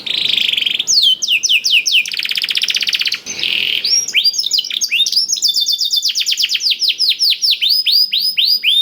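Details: Canary with black-throat-influenced song, meant to coax canaries into singing: buzzy trills and rapid chatter give way to long runs of repeated falling whistles at varying speeds.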